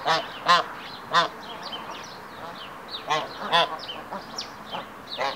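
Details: Hybrid Canada geese during pair formation, the male performing the courtship "triumph ceremony" before the female: loud nasal honks, singly and in quick pairs, a few per second, with faint small-bird chirps in the background.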